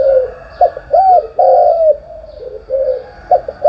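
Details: Spotted dove in the morning giving a short series of mellow, low coos, several swelling and dipping notes in quick succession.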